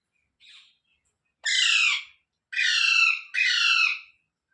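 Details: Rose-ringed parakeet, a ringneck kept as a pet, giving three loud harsh squawks with stacked harmonics, each about half a second long, the last two close together, after a faint short chirp; no other sounds.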